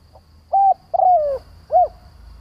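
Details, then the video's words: Spotted dove used to lure and provoke wild doves, with a faint lead note, a flat coo, a longer descending coo and an arched final coo, over a low background drone. "Tiếng Chim cu Mồi gáy gọi - Chim cu gáy kích bổi nhanh nổi hiệu quả"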